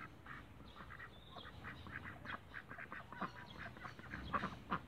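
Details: Backyard Cayuga ducks calling in a loose chorus of short, harsh quacks, scattered irregularly and growing louder toward the end, with low background rumble.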